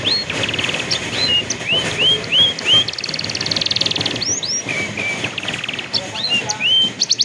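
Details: Canary singing for the training of young canaries, captured on a cellphone: repeated upslurred whistles, a long buzzy trill, then more looping sweeps and rapid chattering notes over a faint background hum.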